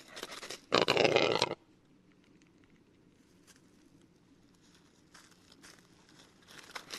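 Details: Western capercaillie male song from Lithuanian woodland: a loud grinding, hissing scrape near the start, then long near-silence broken by faint ticks and soft rustles.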